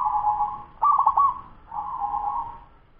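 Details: Young local zebra dove, ten months old, with a fast song: a soft coo, then a loud stuttered burst of quick notes, followed by another drawn-out trembling coo.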